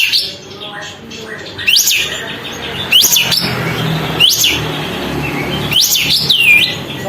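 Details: Sooty-headed bulbul singing with tail open to provoke other birds; short sharp upslurred whistles come roughly every second and a quarter over a steady murmur of background noise.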